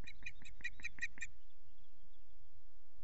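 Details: Unringed female osprey at the RSPB Loch Garten nest calls for her absent mate: a quick series of seven piercing, evenly spaced piping notes, then near silence with faint low background rumble.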